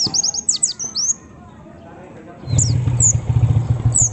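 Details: Lure song of a white-eye aimed at provoking other white-eyes: a fast cluster of high falling notes for a second, then quiet, then a loud engine-like rumble with only a few scattered high notes.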